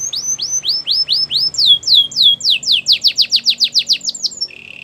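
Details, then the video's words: Training song of a Belgian canary, loud and clear: a series of curved, downward-sliding whistled notes that speed up into a fast, steady trill of about twenty notes, closing with a short buzzy rattle. "Belgian canary singing"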